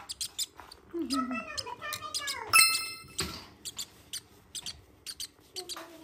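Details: A hungry violet rosy-faced lovebird chick being hand-fed, eating eagerly, gives rapid, high, scratchy squeaks in short bursts several times a second, with a person's soft voice and a metallic ding.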